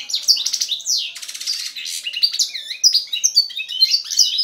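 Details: Song of a male goldfinch x canary hybrid: high twittering notes, then a harsh buzzy rattle lasting about half a second, followed by fast chirps, liquid warbles and rising whistled slurs.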